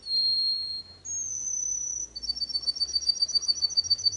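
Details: Canary song: a long pure whistle held steady, then a higher sustained whistle, breaking into a rapid, pulsing trill of high notes repeated several times a second.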